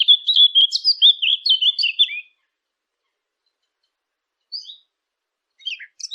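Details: A quick two-second phrase of rapid, repeated high chirps, then a long silence broken only by a few faint, scattered tweets near the end.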